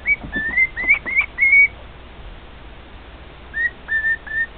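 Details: A pet male cockatiel serenades two companion cockatiels: loud, clear whistled phrases, some rising and some held flat, then a pause and three shorter level whistles, against a quiet room.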